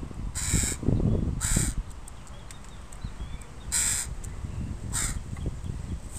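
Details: Harsh, grating caws from a crow family with young birds in a park, four calls in two loose pairs over six seconds, with rustling and handling noise underneath.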